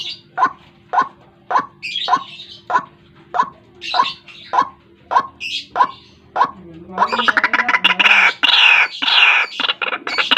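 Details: White-breasted waterhen lure call for catching birds in the morning: a string of evenly spaced harsh croaks, about eleven, then a loud dense burst of rapid raucous chattering for the last few seconds.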